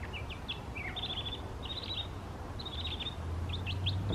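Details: Mockingbird in a park singing a varied medley: brief upslurred notes and downward whistles, then fast buzzy chattering bursts repeated in quick succession, with a low rumble of background noise underneath.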